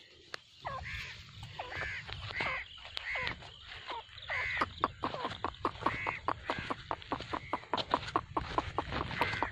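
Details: Grey francolin (teetar), a five-year-old breeding pair that breeds three times a season: a series of arched and U-shaped notes around one to two kilohertz, repeated irregularly, with sharp clicks between them and low rumbling in the background.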